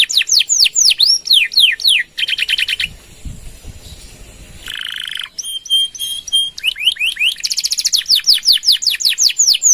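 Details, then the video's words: Canary singing gacor style, long 'nembak' with 'gereja' fill, used as a master song for other birds: swooping whistles, a fast trill, a quieter stretch, a buzzy burst, metallic rattles, then more rapid swooping and trilled notes. "Suara Kenari Gacor | Full Nembak Panjang!!"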